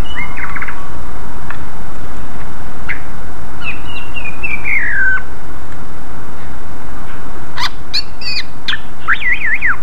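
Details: Greater green leafbird singing loud, energetic lure song meant to draw replies from other leafbirds: short whistled notes, then a long descending whistled phrase, and a burst of quick warbled, zigzag notes near the end, over steady hiss.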